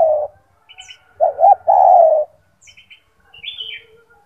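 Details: Master song of a caged gacor turtle dove with a large, strong voice: the end of one coo, then a full phrase of two short notes and a long, level coo. Faint chirps come from another bird.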